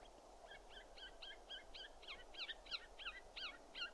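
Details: Siberian jay giving a series of about a dozen short, hoarse, forked notes, each with a brief bent whistled element, repeated roughly every third of a second over steady low background rumble.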